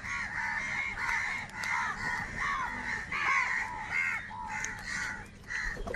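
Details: Large flock of crows calling together, crows fighting over food; dense overlapping harsh caws with arched, rasping notes repeated continuously, many birds at once forming a steady chorus throughout.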